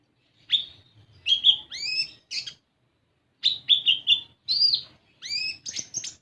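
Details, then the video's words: Olive-backed sunbird song meant to coax untrained sunbirds into singing: two dense phrases of shrill chirps, upswept whistles and a short buzzy trill, separated by a brief silence. "Pancingan Kolibri Ninja Bahan Agar Bunyi"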